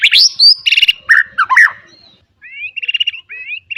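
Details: Training song of a white-rumped shama for young birds, full of fills: a fast rising sweep, buzzy repeated notes and chattering phrases, then softer upslurred whistles each followed by short trills.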